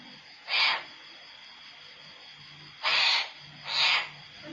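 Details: Caged cockatoo living outdoors copies the sound of daily cat fights: rasping, hiss-like screeches, one early burst then two close together about a second apart, with a faint low hum underneath.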